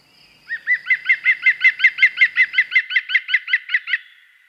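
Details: A European green woodpecker filmed in France gives its ringing laughing call: about seventeen loud, even 'kleu' notes at roughly five per second, steady in pitch, with no other sounds.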